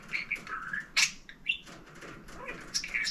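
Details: Pet budgerigar, kept indoors with another bird, playing and talking up a storm: quick high scratchy warbles and clicks, sharp chirps and bursts of squeaky mimicked talk for about three seconds.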